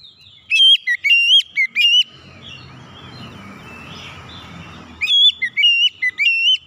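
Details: Oriental magpie-robin call used to spur a silent bird into singing. Two bursts of shrill, piercing whistles, each a fast series of stepped, slurred notes, are separated by a pause with soft, hissy background chatter.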